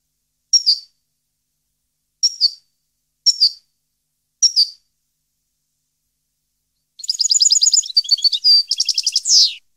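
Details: 2015 European goldfinch recording: four sharp, evenly spaced high chirps, a pause, then a dense jingling song phrase of rapid twitters and a trill ending in a falling buzzy note.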